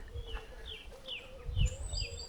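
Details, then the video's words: Common chaffinch calling during a dawn chorus walk: a few faint, high, slurred downward notes about every half second, over low rumbling background noise and a brief thump. "Chaffinch is calling."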